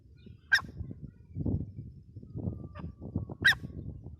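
A grey francolin gives two loud, harsh, ringing notes about three seconds apart, over a steady low rumble of background noise.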